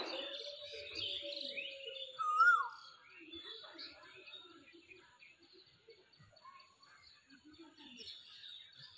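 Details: A spring Asian koel calling from a tree gives one loud, clear whistled note that rises in pitch, over a busy background chorus of chirping and twittering small birds.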